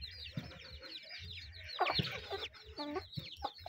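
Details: Chickens eating, rows of high curling peeps at first, then a louder burst of harsher mid-pitched clucking, with low knocks and scratching.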